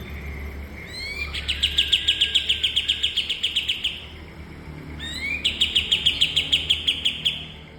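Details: Cream-vented bulbul training song for cage birds: a pair of rising whistled slurs launches a long, rapid chain of clear, high chipping notes, repeated in a second matching phrase after a short gap.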